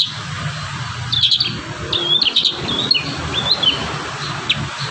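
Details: A kurincang in full voice, used as a master recording for young birds, gives short clusters of bright twittering and slurred whistled notes at intervals, against a steady low background rumble.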